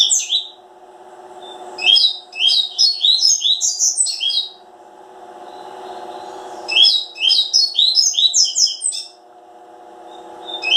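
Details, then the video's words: Coleiro seedeater delivering rapid chattering song phrases of sharp, high chirps, two long bursts separated by a few seconds of quiet, with a constant low hum underneath. "Coleiro máquinas da natureza. corbatita"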